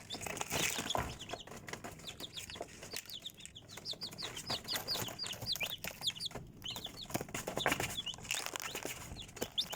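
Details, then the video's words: Chicks peeping in a dense, continuous chorus of short, high, arched cheeps repeated several times a second, with frequent scratching and tapping noises throughout. "Цыплята / chickens"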